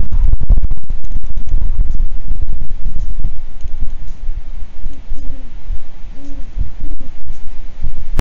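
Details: Great Horned Owl pair at a nest in Kansas, 12:47 a.m., 29 January 2022, 17°F (-8°C); male brings prey to the female: low, soft hoots in short runs, repeating unevenly over heavy rumbling wind and handling noise.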